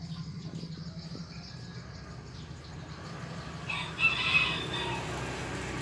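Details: A small Serama-cross rooster gives a brief, hoarse, high-pitched crow near the end, after a quiet stretch over a steady low hum. It is a junglefowl × kate-serama cross that crows often and plays on the hand.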